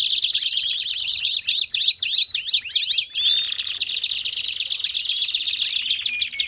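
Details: Canary baderna song for warming up other canaries: a rapid continuous chatter of high repeated notes, with curling swoops and a short whistle near the middle before the dense trilling resumes.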